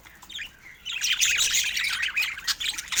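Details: Budgerigars chirping busily: after a quiet start, a rapid stream of high, warbling, scratchy twitters and squeaks pours out without pause.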